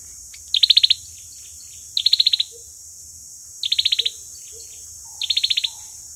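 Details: Olive-backed sunbird fighting song used as a lure: four quick high trills of sharp notes, about 1.5 seconds apart, with a few soft lower whistled notes between.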